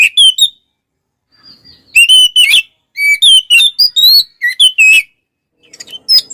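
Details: Singing kacer, an Oriental magpie-robin, described as unsettling its rivals: clear whistled phrases rising and falling, delivered in quick clusters with brief silent gaps between them.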